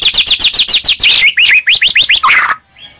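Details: White-rumped shama lure song to provoke a reply: a fast even series of high downslurred notes, then a run of rising upsweeps, ending in a buzzy phrase and quiet.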